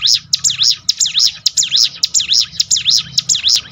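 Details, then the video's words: Bar-winged prinia song for building a bird's mental toughness: loud, shrill, sweeping chirps repeated rapidly and rhythmically, close to two per second, with a low rumble and a faint steady whine beneath. "bikin ciblek gunung Ngetop"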